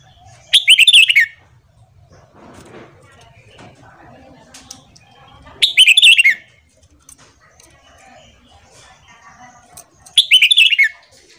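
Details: Three bursts of Red-whiskered bulbul morning song, used as training, come roughly every five seconds; each is a quick, rich phrase of whistled notes sliding downward, with soft rustles and faint chirps between.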